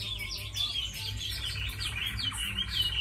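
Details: Tamed Chinese hwamei, kept as a fighting bird praised for its singing, producing a busy stream of high whistled notes and slurred trills, slightly softer, against a steady low background hum.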